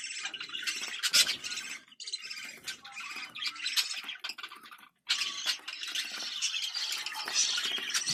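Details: Budgerigar breeding call: scratchy, noisy chattering broken into uneven bursts, with a brief total silence partway through followed by sustained high warbling.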